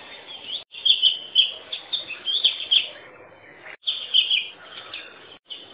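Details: Oriental magpie-robin song with lively sequences of varied whistles, chirps and trills, broken by two brief silent gaps, the phrases coming in quick clusters.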